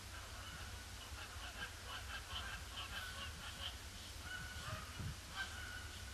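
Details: Canada geese circling a pond before landing on a gloomy Boxing Day; scattered honks from many birds, a few clearer calls near the end, against steady low rumbling.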